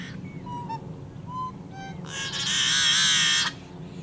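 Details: Yellow-headed blackbird singing in wetlands along the Great Salt Lake in summer: a few soft whistled notes, then a loud, harsh, raspy buzz held for about a second and a half, with a steady low rumble beneath.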